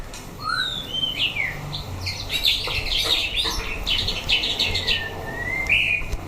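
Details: White-rumped shama in a fighting test mixes sweeping whistles with a dense burst of scratchy chatter and clicks, ending on rising clear notes, with a low rumble behind.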